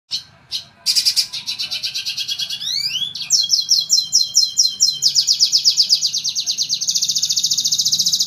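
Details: A red siskin, an imported bird, sings actively and fairly loudly with long rolls: a fast, high, buzzy song of rapid twittering trills, with upslurred notes and rattling repeated phrases, over a faint low hum.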